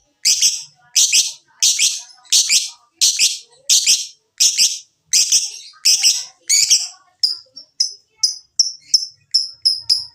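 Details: Lovebird ngekek lure for prompting lovebirds to sing: about ten harsh, broad squawks repeated every two-thirds of a second, then a faster train of thin, sharp chirps.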